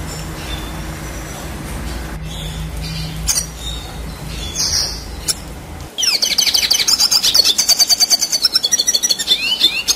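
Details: After about six seconds of low hum and faint scattered chirps, a Red siskin bursts into energetic rolling song, fast high twittering with buzzy pulsed trills and quick chirps, recorded as tutor material for competition birds.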